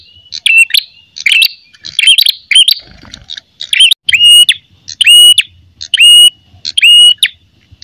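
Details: Red-headed prinia giving its fighting call, used as a lure or tutor recording. Sharp, clear chirps with buzzy overtones come in quick clusters about seventy times a minute, with later bursts bending into twangy looping notes. Faint low thumps sit underneath.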